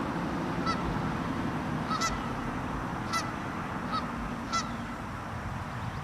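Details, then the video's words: Canada geese in South Carolina, protecting their territory alongside a Killdeer, give five harsh, nasal honks spaced about a second apart over a steady low rumble of wind or distant traffic. "Canadian Geese and a Killdeer are each protecting their territory."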